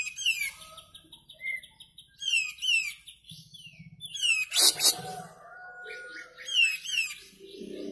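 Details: Sooty-headed bulbul singing actively: clear, slurred whistles that slide downward, given in short phrases about every two seconds, mixed with chattering notes and a loud harsh burst near the middle.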